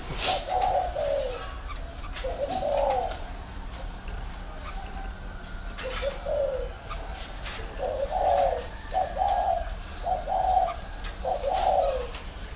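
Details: Caged decoy spotted dove in a round cage, Ba Vì district, northern Vietnam: low, mellow coos in short groups of two or three, separated by pauses of several seconds, with light background clicks and rustling.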